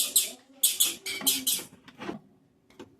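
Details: A female blue-black grassquit gives calls meant to excite males: a quick run of thin, hissy, high chips in uneven bursts. A few fainter ticks follow against a quiet indoor background.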